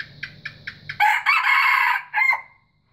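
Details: A white junglefowl crows: a burst of four short clucks, then a loud, harsh two-part crow ending in a brief clipped note.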